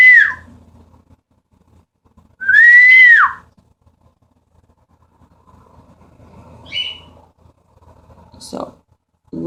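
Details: Pet cockatiels in another room answer their owner's loud whistled flock call with arched, ringing contact calls that tell where they are.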